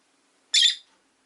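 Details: A single loud, rasping, high chirp from a caged rosy-faced lovebird, one of a household of five, the newest being a yellow bird with an orange face and a light-blue bird.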